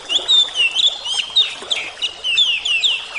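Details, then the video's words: Oriental magpie-robin singing a fast series of sweet, down-slurred whistles and short chirps, repeated in quick bursts several times a second. "terapi kacer suara air"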